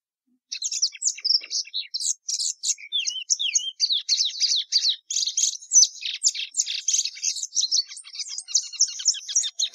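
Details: Plumbeous seedeater (patativa verdadeira) song beginning after a short silence: a few drawn-out downslurred whistles, then a long run of rapid, chattering high notes with scratchy texture.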